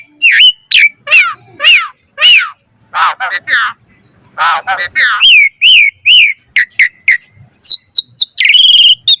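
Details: Asian pied starling song for training other starlings, full of variation: clusters of grating, buzzy notes and downslurred whistles, then a faster series of repeated chirps and sweeping high notes toward the close.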